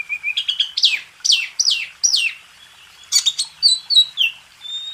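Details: Master song of a kacer, the Oriental magpie-robin, used to tutor contest birds: a series of loud downslurred whistles about half a second apart, then clipped high notes and a thin sustained whistle.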